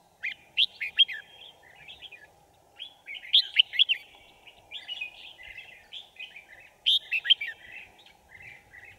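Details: Song of a decoy red-whiskered bulbul at a bird trap, recorded 5 January 2018: emphatic whistled phrases roughly every three seconds, each ending in quieter chattering notes, over a continuous low mechanical hum.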